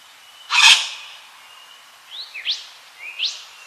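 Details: Yellow wattlebird: one loud, harsh, rasping burst near the start, broad and noisy, followed after a pause by three thin, rising whistled notes.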